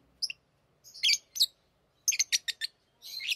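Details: Tame lovebirds talking and singing as they play with rings. Bursts of shrill, scratchy chirps give way to a fast run of sharp twitters and a trailing buzzy chatter.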